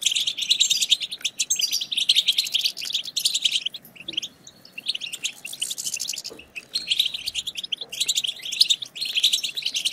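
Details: Chorus of European goldfinches twittering, played to stir other goldfinches to sing. The sound is a dense, continuous stream of high, rapid chirps and trills that overlap without pause and swell and fade in bursts.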